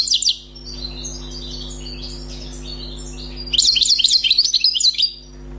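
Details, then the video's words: A newly caught wild European goldfinch sings a fast, tinkling medley of high twittering notes and liquid trills, with a quieter pause before a louder burst of rapid chirps. "غناء حسون بري"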